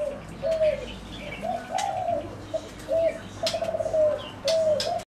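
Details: Several bursts of gentle, pulsed cooing from zebra doves, some phrases breaking into quick stuttering trills, separated by brief gaps; scattered sharp chirps of other birds and a faint low hum.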